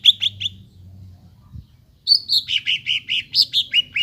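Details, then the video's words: Greater green leafbird song intended to prompt a quiet bird to sing: three short chirps, a near-silent gap, then a run of bright, rolling, slightly descending notes. "PANCINGAN BURUNG CUCAK IJO YANG MALES BUNYI,MACET BUNYI AGAR GACOR KEMBALI"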